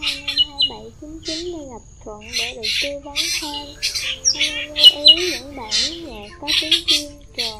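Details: Black drongo (Dicrurus macrocercus) calling in a fast, varied stream of nasal, sliding whistles and harsh, scratchy chatter, several bursts a second. These are competing calls against rival drongos, used as a flock-calling lure for migratory drongos in the 2023 season.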